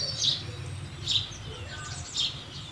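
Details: Three separate high chirps from a house sparrow, roughly one second apart, with a murmuring low background noise throughout.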